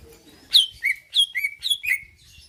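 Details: Greater green leafbird song intended to provoke a reply and fighting: five to six sharp whistles, each dropping steeply from high to lower pitch, in quick succession with a faint low background.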